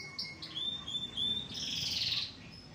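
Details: Canary called excitable and quick-tempered, singing more softly: a few sharp high notes, short whistled slides, then a dense buzzy warble over faint background hiss.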